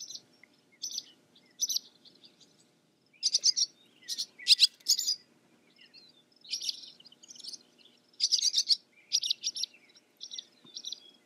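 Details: Short high chirps and twittering phrases from a barn swallow (Hirundo rustica), clustered in brief bursts of several sharp notes with quiet gaps between them, over a faint low background hum.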